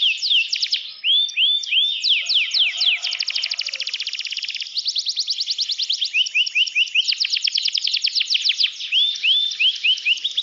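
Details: Caged canary singing a continuous, loud, high song of rapid trills and repeated upswept whistled notes, with fast buzzy rolls between phrases.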